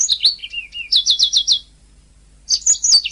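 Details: Canary singing, recorded as a master for training birds: high chirps, a low buzzy note, then a rapid repeated trill of five or six notes, a pause, and more twittering.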